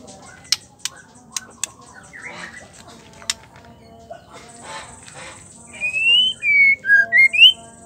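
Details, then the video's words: Female white-rumped shama calling to make males sing: after scattered clicks and faint rustling, a closing run of about six clear whistled notes, some rising, some falling. "Suara Murai batu betina gacor"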